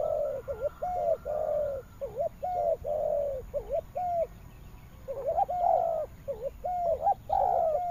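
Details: Spotted dove cooing in Vietnam's western region: a steady run of short bent coos and longer hoarse notes, a brief pause, then overlapping coos resume more densely.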